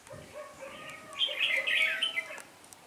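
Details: Red-whiskered bulbul lead decoy calling its flock at a trap, 26 November 2017; a short, loud chattering warble in the middle, over a steady low droning tone.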